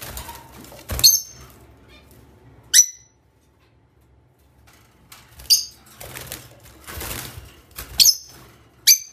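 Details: Rose-ringed parakeet (Psittacula krameri), squawks.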